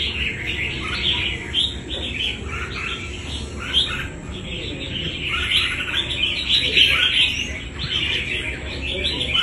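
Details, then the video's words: Wild red-whiskered bulbul caught for fighting, singing a long busy stream of crisp chirps and short whistles that swell and fade in waves. "Bổi đấu quá tố chất"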